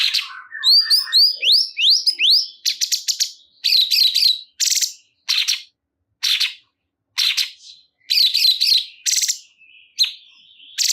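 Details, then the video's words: Song of the cungkok (sooty-headed bulbul) opening with quick rising whistled notes, then a string of dry buzzy bursts and warbles at irregular intervals. "Cungkok Kurang Emosi !! Silahkan Putar Dijamin Burung Cungkok Anda Langsung Ikut Gacor"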